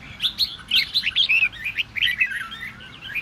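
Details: Red-whiskered bulbul singing to incite rival birds; a fluid string of clear whistles and slurred notes, loudest early, then trailing into softer twittering.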